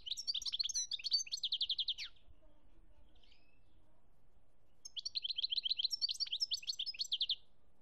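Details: European goldfinch singing in Algeria in 2017: two bursts of quick twittering song, each about two seconds long, with rapid liquid trilled notes separated by a pause of near silence.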